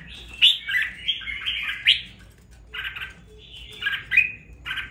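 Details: Caged red-whiskered bulbul, bought and raised two weeks, now voicing with some fire; a rapid tumbling warble of bright whistles and buzzy slurs, then a pause and a second shorter bubbling phrase.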